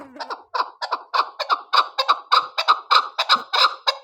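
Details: Female chukar partridge, a hunting bird, giving a harsh, rhythmic series of clucking chuck notes, about fourteen in four seconds, with each note rough and rising slightly. No other sounds intrude.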